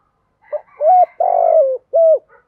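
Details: Spotted dove cooing, a recording meant to lure wild doves: a soft lead-in note, a clear mid-pitched coo, a long burred coo that falls away, then a final coo with a faint trailing note.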